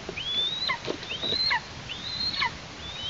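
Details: Young eastern imperial eagle in a Tatarstan nest, August, parents providing food: three or four long, upward-gliding whistled calls each breaking into a steep drop, with soft rustling between them.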